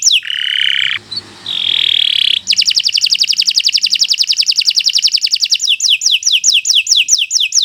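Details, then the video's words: Canary of the Kenari Nusantara type in long, continuous tutor song: harsh, sustained buzzy notes, then a long, fast trill of high pulses, ending with a quick series of crisp downslurred notes. "Kicau Burung Kenari 173 II LUAR BIASA GACOR PANJANG Cocok untuk Masteran"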